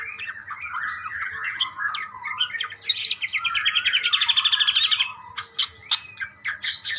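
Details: Budgerigars calling back and forth: busy warbling chirps, then a fast buzzy rattling run of rapid pulses lasting about two seconds, followed by scattered sharp chirps, over a faint low hum.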